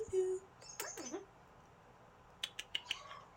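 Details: Amazon parrot kept as a pet, heard indoors with a brief pure whistled tone, then sliding warbled notes and a cluster of sharp clicks and chirps in a quiet room.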